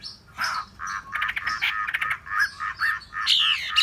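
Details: Hwamei giving chunky, buzzy mid-pitched notes in irregular bursts, ending with high sweeping whistles.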